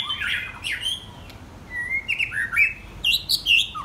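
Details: Song of young white-rumped shamas aged 10 and 12 months: a harsh squawky burst followed by clear whistled notes and short warbled phrases that rise and fall, spaced irregularly, against quiet room background.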